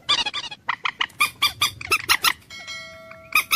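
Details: Common moorhen producing strident, evenly spaced clucking notes, about three per second, then a thin steady whistle-like tone before one last cluck.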